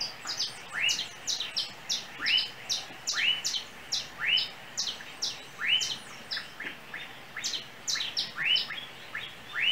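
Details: Chirping song of a small yellow bird on overhead cables near a home in Trinidad: a lively run of rising chirps and quick high notes repeated steadily, with no pause.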